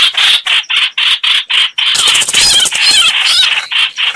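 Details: Streak-eared bulbul calls played as a trapping lure: short harsh, buzzy bursts about twice a second, breaking after two seconds into a denser chatter laced with thin wavering whistles.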